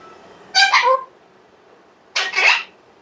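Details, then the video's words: A pet Alexandrine parakeet talks, saying "Allah hu Akbar" in two short, nasal, voice-like bursts about a second and a half apart, with a quiet room behind. "parrot says Allah hu Akbar"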